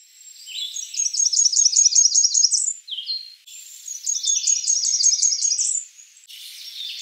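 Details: Blackburnian warbler calling: two very high, thin series of rapid repeated notes, each run ending in a sharp upward flourish, with a few short lower notes between them.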